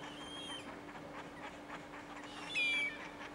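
A young redshank gives one clear, slightly falling whistled note near the end, with fainter whistles earlier over a steady low hum.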